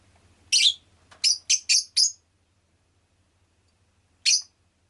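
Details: Rosy-faced lovebird gives a shrill chirp, then four quick piercing notes in a tight run, silence, and one more chirp; faint hum at the start.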